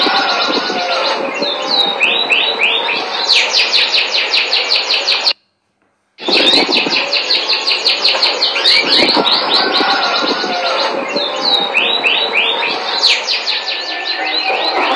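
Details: Canary singing melodiously in dense, continuous runs of fast trills and buzzy repeated notes. A short silent break falls midway, then the rolling phrases resume.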